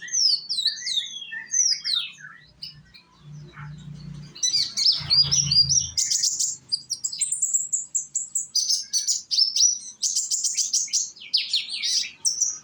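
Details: Young sunbird in Indonesia, played as a lure so other sunbirds join in singing: rapid, high-pitched twittering with sharp chirps tumbling one after another, a brief low rumble in the middle, then dense trilled bursts.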